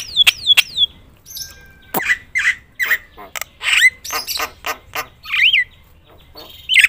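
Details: Javan myna (jalak kebo) in loud, full-repertoire song used to provoke other mynas into singing: descending whistles, harsh buzzy squawks and clicks in an irregular jumble, with rising and falling whistled notes near the end.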